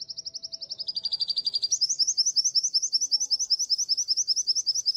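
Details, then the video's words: White-eye (pleci) of the prestigious G12/G16 competition class, recorded as a training tutor for its dominant, prominent song: a high, thin sliding twittered run, then quick bright chirps about five a second over faint low rumble. "Masteran Pleci Kusus G12 & G16 materi menonjol"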